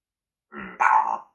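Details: A parrot that usually swears at family members blurts out a quick two-part imitation of human speech: a low, rough syllable, then a louder, raspy word, all within a second.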